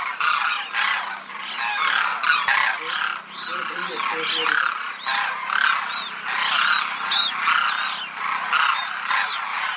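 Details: Demoiselle cranes in a big group cloud the sky above a village in Rajasthan, India. Their loud, throaty calls overlap in busy bursts roughly twice a second, with a faint low hum running underneath.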